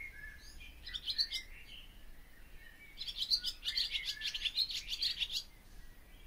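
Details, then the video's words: Barn swallow singing a brief twitter, a pause, then a longer run of rapid chattering, scratchy notes, high and busy, ending in a soft trailing note. "O canto da ANDORINHA-DAS-CHAMINÉS/BARN SWALLOW SONG (Hirundo rustica)"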